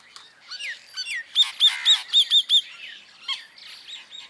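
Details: Common myna around Jal Mahal, Jaipur, India, December 2021, bank mynas close by: a medley of squeaks and slurred whistles, then six loud, evenly spaced clicking chuckles, followed by softer squealing notes.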